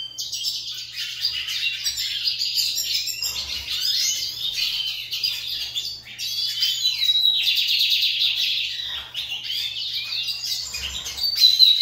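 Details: Lined seedeaters owned as pets sing against each other in a contest. Dense, high-pitched chattering phrases mix quick sweeps with buzzy rattling trills, almost without break. A soft low thump is heard now and then.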